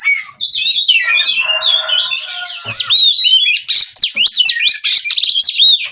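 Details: Oriental magpie-robin in breeding condition, wanting to mate, singing 'ngobra': a long, continuous stream of rich whistles, rapid V-shaped sweeps and a short, lower harsh rasp near the start, getting busier toward the end.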